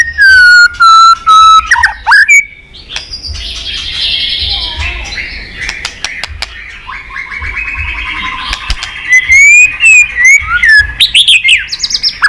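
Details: Fighting-song bait from a white-rumped shama in the líu twittering style, used to provoke a young bird: loud steady whistles open, a soft jumble of warbling notes follows, and a burst of quick, varied whistles and chips ends it.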